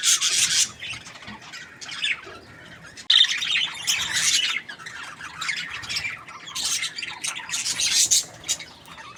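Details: Happy budgerigar chirping: bursts of scratchy high chatter and squawks separated by short quieter gaps, indoors-sounding.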